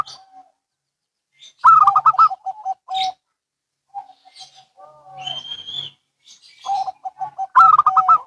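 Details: Zebra doves, both local and Bangkok birds, answering each other with repeated bursts of fast, gurgling coo notes followed by steady lower coos. A higher whistled note sounds in between.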